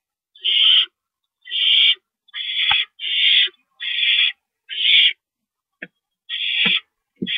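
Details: Owl calling during a rodent delivery at 9:01 PM on March 28, 2012: rasping, hiss-like screeches, each about half a second long, in an irregular series near one per second, with faint low thumps.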